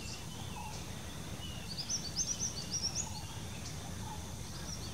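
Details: Bar-winged flycatcher-shrike (Hemipus picatus) in a bamboo patch in the Dangs, India, giving a quick, high, thin chattering run of about ten sharp notes over a second and a half, above a steady low rumble.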